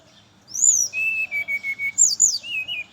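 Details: Morning song of a brown-chested jungle flycatcher, played to draw in other birds of its species: a high slurred whistle, a string of steady level notes, then falling high whistles ending in lower trills.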